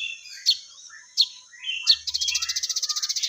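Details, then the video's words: Crested jay (sogon), a singing bird: three sharp high chirps spaced about every 0.7 seconds, then a fast, even, buzzy rattle of rapid pulses in the final second. "Burung Sogon Gacor"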